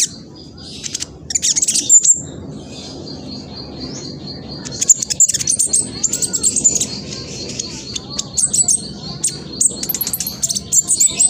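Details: Fast, scratchy lure song of a young spotted black sunbird recorded by phone in East Java, Indonesia, used to make other males answer; rapid high ticking notes in dense runs over a faint steady high whine and low hum.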